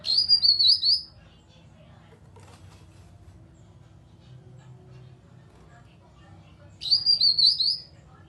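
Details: Grey-cheeked bulbul (cucak kinoi) call used as a lure to stimulate other birds to sing: two bursts of high, warbling, wavering whistled notes about six seconds apart, with quiet low background hum between.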